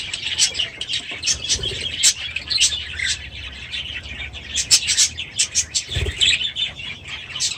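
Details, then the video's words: Budgerigars in an aviary give sharp chirps and clicky squawks in quick bursts over softer background chatter, with occasional low thumps from movement. "6 Hours of Budgies in their Aviary"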